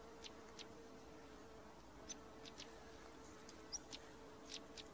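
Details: Stonechat pair calling with spaced-out, abrupt clicking notes and a single short high whistle, against a faint continuous hum.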